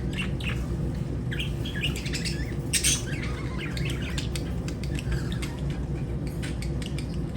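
Lovebird chatter: rapid, shrill squeaks and sharp chirps in uneven bursts, over a steady low hum.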